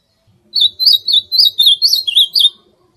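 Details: Roughly two seconds of Ultramarine grosbeak song, about ten clear, slurred whistled notes in quick succession, each wavering up and down, with a faint low murmur in the background.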